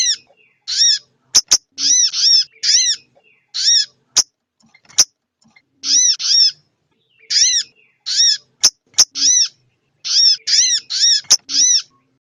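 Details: Calls of a female crested jay, played to rouse males' breeding urge; rasping, arched notes repeated rapidly in clusters of two to four, interspersed with crisp clicking snaps throughout.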